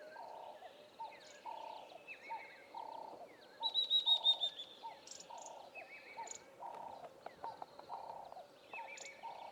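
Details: A Spectacled Weaver in the Eastern Cape bush of South Africa gives a quick run of high, thin notes that slide slightly downward, with other birds chirping around it over a steady, low, pulsing call.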